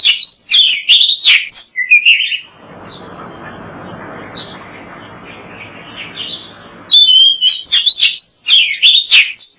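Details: Oriental magpie-robin, called kacer, in full energetic song for bird training: quick series of bright whistled and buzzy notes, rising and falling, then a pause of low hiss with a few soft notes before another loud, rapid burst.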